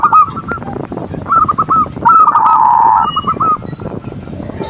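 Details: Zebra dove manggung lure song for rousing reluctant doves: short runs of rolling coo notes, partly overlapped by a harsh, drawn-out buzzing call from another bird midway.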